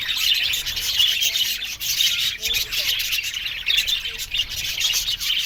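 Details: Aviary budgerigars calling together, a thick wash of squeaky chirps and short squawks with pulsing loudness.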